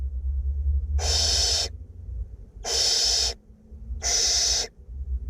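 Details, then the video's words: Two barn owlets being fed in a nest box in north Glasgow give three harsh, breathy hisses, each under a second long and spaced about a second and a half apart, over a steady low hum. "Barn owlets feeding"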